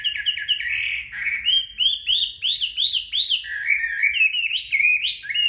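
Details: Chinese hwamei singing while sunning itself right after a bath: a rich, fast stream of loud, varied whistled phrases, many rising and falling sharply, with high thin notes over the top.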